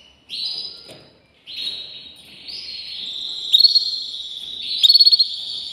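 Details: Canary song of buzzy high rolls that rise slightly, then louder rapid pulsed trills near the end, over a quiet background.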